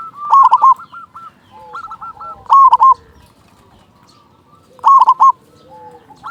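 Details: Local zebra dove in strong voice, played as a lure for other doves: loud stuttered coo phrases every two to three seconds, separated by quieter rolling trills and a soft low drawn note.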